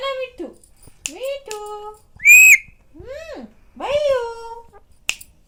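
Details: A pet Indian ringneck (rose-ringed parakeet) talks in a shrill, nasal voice, saying a handful of mimicked syllables like "Mummy, Mithu is hungry" over about five seconds, with one sharp squawk in the middle.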